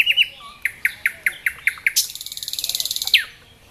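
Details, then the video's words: Nightingale in Dubki park at Sestroretsk, Saint Petersburg, delivering a run of evenly spaced sharp whistled notes that accelerates into a fast rattling trill and ends on a downward slur. "Соловьи поет очень красиво-The nightingale sings very beautifully!!"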